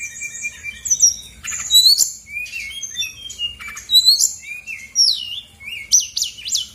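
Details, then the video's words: Brown-chested Jungle Flycatcher, a Bali female, sung as bait for silent birds: looping high whistles and sweeping slurs mixed with buzzy chirps, delivered in phrases roughly every second. "PANCINGAN SRDC GACOR BONGKAR ISIAN/BURUNG MALAS BUNYI AUTO EMOSI RESPON NYAUT!!!"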